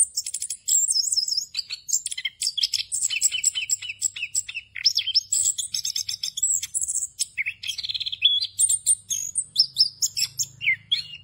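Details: An orange-headed thrush's long rolling song full of fill phrases, recorded as a tutor for other birds. It runs as a steady flow of high chatter, quick trills and rising and falling whistles, with a low hum in the background.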